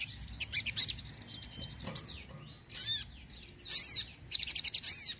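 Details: Sogon singing actively, to draw in birds and encourage sluggish ones to sing: high thin trills and chirps, a sweeping note, then loud arched twittering bursts ending in a fast run of repeated notes.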